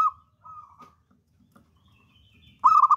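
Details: Local zebra dove, a spirited lure singer, giving soft steady cooing notes then a sudden loud rapid bubbling burst at the end.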